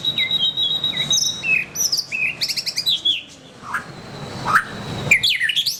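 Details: Gacor white-rumped shama (murai batu) pouring out a varied song: quick chirps, sliding whistles and rapid trilled notes in fast succession, a short pause, then fresh bursts of downward-sweeping notes.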